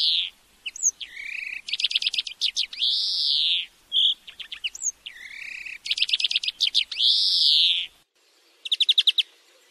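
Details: Continuous song of a European greenfinch from a tutoring recording for teaching a bird to sing. Long nasal wheezes alternate with rattling trills and twittering notes, and a brief trill follows a pause.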